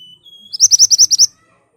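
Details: An ashy tailorbird singing hard and piercingly as a lure to draw answers from other birds. A thin steady whistle is followed by a brisk series of seven loud, high, slightly upswept notes.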